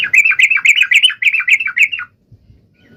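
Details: Sooty-headed bulbul singing briskly to draw a rival, a continuous two-second stream of quick, bubbling liquid notes rising and falling, ending abruptly in near silence.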